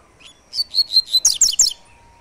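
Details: Double-collared seedeater giving the "tui tui" three-note song type: a short run of clear, high whistled notes followed by rapid sharper bright chirps, about eight notes in just over one second, over a quiet background with a faint steady hum.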